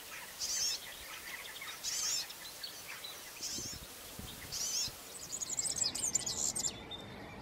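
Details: European serin: short, very high, thin jingling bursts repeated about every one and a half seconds, then a longer rapid twittering run, with lower chirps from other birds in the background.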